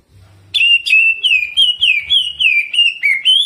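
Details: Greater green leafbird in energetic jamtrok song with rolling phrases and prinia (ciblek) mimicry: a steady string of loud, clear whistled notes, each slurring downward, about three or four per second, after a brief quiet lead-in.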